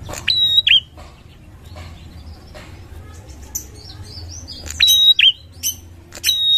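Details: Bar-winged prinia lure song: loud phrases of a level shrill whistle with a quick buzzy downslur, separated by a quieter stretch of faint twittering, steady low hum throughout.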